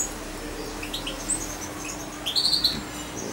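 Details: Young European goldfinch about two months old, hand-fed by syringe and kept close to its owner, gives a few thin high chirps, ending in a quick trilled cluster, over a steady low hum.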